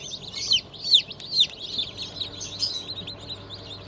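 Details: Newly hatched chicks from a 20 June 2023 hatch of Cream Legbar, Sussex, Sultan and Fizan breeds, peeping in shrill, high, downward-sliding notes. A few louder peeps stand out over a soft, steady low hum.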